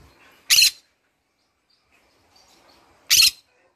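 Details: Green-cheeked conure, a pet bird, calling in the morning: two shrill, grating squawks about two and a half seconds apart, with faint soft chatter between.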